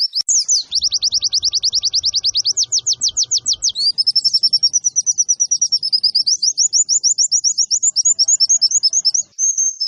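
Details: Master song of a caged white-eye for training other birds to sing: fast, high chirping that climbs into quicker trills, then varied twittered phrases and repeated notes, with soft low rustling early on.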